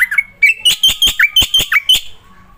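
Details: Black-winged myna singing energetically, a song used as a lure to prompt silent mynas to sing; a loud run of about nine sharp whistled notes, each with a brief buzzy edge, given in quick succession and then trailing off.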